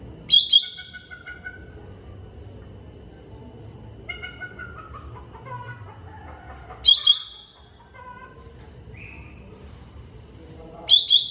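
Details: Greater green leafbird master recording: loud, sharp chirps with a clipped buzzy edge burst out roughly every four to five seconds. Softer warbled, descending phrases fill the gaps, with a faint low hum underneath.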